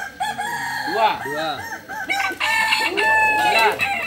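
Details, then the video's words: At a Sunday crowing contest, landiak class, in Ampang Kualo, Solok city, Balenggek cocks deliver arched, step-like crow syllables in quick series, several birds overlapping, with a louder sustained crow later. "Kontes Ayam kukuak balenggek"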